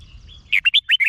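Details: Caged red-whiskered bulbul from Thailand, song played to excite other birds: a faint thin whistle, then five lively slurred whistled notes rising and falling in quick succession, low rumble underneath.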